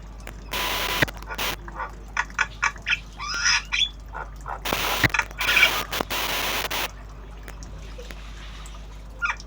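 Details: Tame black-winged starling learning sounds in obyogan style, delivering a jumble of squeaky notes, harsh rasps and chattering phrases over a few seconds before falling quiet.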